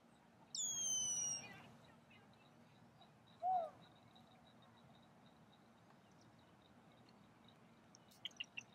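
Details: Red-winged blackbird calling with a loud falling whistle early on. A short, low, hooted note from another bird comes about three seconds later, then a quick burst of sharp ticks near the end, all over soft steady hiss.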